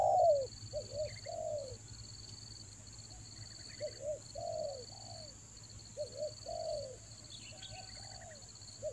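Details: Spotted dove luring call for the rainy season, Toba style. Quieter repeated phrases of paired coos and falling notes, with scattered high chirps from other birds and a steady electronic whine.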